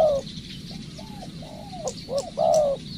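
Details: Spotted dove being trained as a decoy bird, a soft drawn coo, then quieter arched notes and a final strong sustained coo, faint bird chirps behind.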